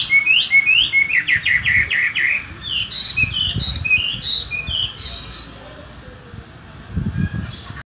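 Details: Chinese hwamei singing energetically after bathing, competition-quality bird: a rapid, varied run of clear whistled and slurred notes, some rising and falling, delivered in quick bursts for most of the recording, with low background rumble and a few softer pauses.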